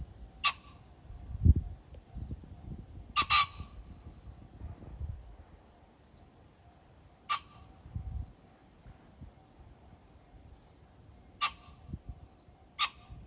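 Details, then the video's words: Repeated harsh, explosive pheasant calls, six bursts at irregular intervals of two to four seconds, one doubled, recorded 21 July 2024 over a faint low rumble and a steady shrill drone. "pheasant call ,キジ ,꿩"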